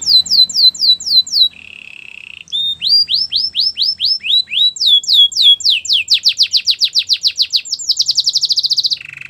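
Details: Canary song for training: bright repeated whistled syllables, a short lower buzzy tour, then long runs of quick rising notes accelerating into a dense trill, closing with a low rattle.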